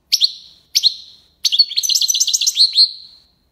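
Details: European goldfinch, Algiers, Algeria, singing tiwawati: two clear descending chirps, then a rapid, liquid trill of about a dozen high bouncy notes ending in a slurred call.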